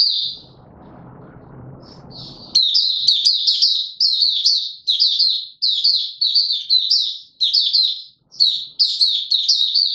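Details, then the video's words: Singing male white-eye recorded 31 December 2021: after a short high note and a quiet noisy spell, a sustained string of sharp, high, chattering warble phrases follows with only brief breaks. "Mata Puteh - Raja V2 Pushing him on form buka sing"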